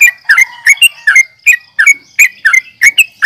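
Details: Short, sharp, slurred chirps of a sooty-headed bulbul in fighting mood, about three per second in an uneven rhythm.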